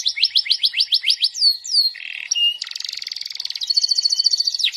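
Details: Canary singing nonstop ('gacor') with the 'goyang' and 'cengkok' style: a run of quick, high downslurred notes about four per second, a short flat buzz, then a dense, rattling high trill.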